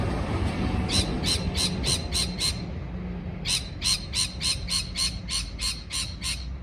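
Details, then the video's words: Parrot giving harsh, raspy squawks in quick series, about three per second, a run of six, a brief pause, then a longer run of ten; steady low rumbling background throughout. "美丽的鹦鹉鸣叫beautiful parrot chirping sound call"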